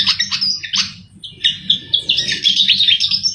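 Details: Energetic song of a Javan flycatcher, sikatan jawa, meant as trapping lure: quick high chirps, then a dense run of warbled twittering notes over a constant low hum.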